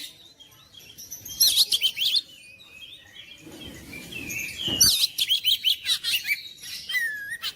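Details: Kacer singing, a recording used to rouse mute magpie-robins into steady song: bright chirping bursts, short high whistles and buzzy slurs, separated by a quieter gap with a soft low rumble midway.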